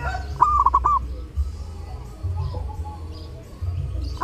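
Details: Zebra dove singing with gusto at Lebaran, intended as a tutor recording for other birds: one brisk stuttered phrase of ringing notes, a soft trailing coo, then another phrase beginning at the end, over a low hum.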